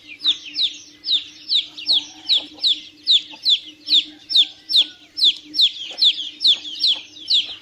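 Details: Continuous shrill peeping from chicks, high falling notes repeated rapidly and fairly evenly, several birds overlapping, above a low constant hum.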